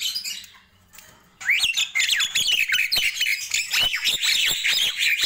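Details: After a brief quiet moment, a Nias hill myna bursts into loud, busy morning chatter of squeaky whistles and harsh chirps delivered in quick succession.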